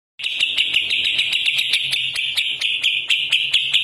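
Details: Greater green leafbird in full song, pouring out its repertoire; a dense, continuous high chattering warble with rapid sharp clicks and ticks running throughout, unbroken for nearly four seconds.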